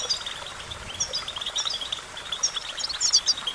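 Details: European goldfinch song for training other birds: rapid bright twittering notes and short tinkling trills that come in bursts about every half second, with a constant faint high hiss behind them.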